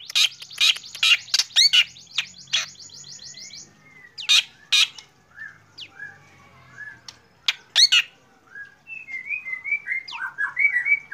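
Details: Lively morning singing by a black drongo. Loud grating notes and a fast buzzy rattle come first, followed by sporadic rasps and a closing series of soft, slurred, rising whistles.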